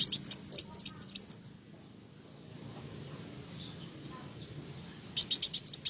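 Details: Singing olive-backed sunbird, called kowul, in gacor style: a dense, rapid, high twittering trill lasting over a second, a long quiet gap with one thin note, then the same fast buzzy trill again.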